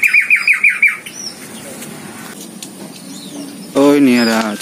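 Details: In an aviary where many tame birds live outside cages, a Greater Green Leafbird gives a rapid run of six bright, down-slurred chirps in about a second, followed by quiet room noise and a man speaking.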